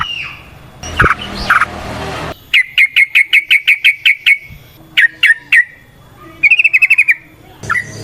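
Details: Yellow-vented bulbul in long rapid 'ropel' fighting song, played as a lure to get birds singing: a noisy rasping start, then a fast series of evenly spaced clipped notes, a brief pause, three more notes, and a quick trilled flurry.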